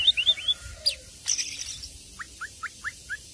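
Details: Oriental magpie-robin (Copsychus saularis), song.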